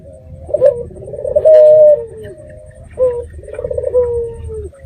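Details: Red-eyed dove of local stock giving lure calls meant to make other doves reply: soft rolling coos ending in a held tone that drops slightly, two phrases about 1.5 seconds apart, low hum behind.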